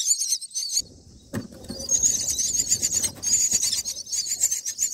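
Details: Myna nestlings about nine days old in the nest, being fed black crickets, give harsh, hissing, rapidly repeated shrieks in high-pitched bursts as they beg, with a soft low rumble and a few knocks behind.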